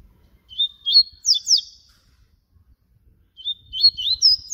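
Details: Papa-capim baiano, or yellow-bellied seedeater, in flute-type song: two clear phrases of high whistled notes that rise into quick downward slurs, with a pause of over a second between them.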